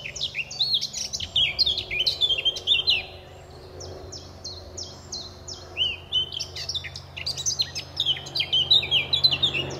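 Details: Male Eurasian blackcap establishing territory at RSPB Fowlmere reserve in May; two bursts of song, each a chattering warble sliding into repeated clear whistled phrases, a short pause between, faint hum underneath.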